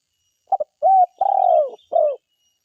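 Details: Spotted dove, a forest bird lure recording, giving a soft low cooing phrase: two short clipped notes, then a longer level coo, a drawn-out falling coo, and a final short falling note, with a clean quiet background.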